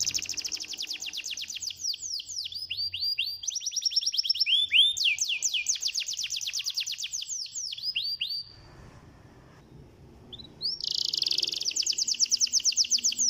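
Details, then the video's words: Canary song intended to provoke reluctant canaries into singing: fast repeated downward-sweeping high notes in changing phrases, a pause of near silence, then a buzzy rolling trill resumes. "PANCINGAN KENARI AMPUH"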